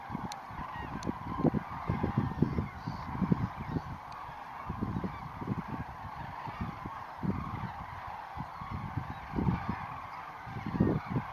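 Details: Dawn take-off of common cranes at Lac du Der on 19 November 2016. A massed flock keeps up continuous rough, honking calls in overlapping bursts, swelling and fading over a constant low background roar.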